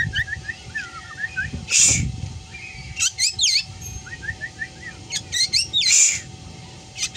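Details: Black drongo, a bird noted for imitating cat sounds among its chattering calls: a run of quick thin chirps, then twisting meow-like slurred notes and two loud hissing screeches, with faint low background rumble.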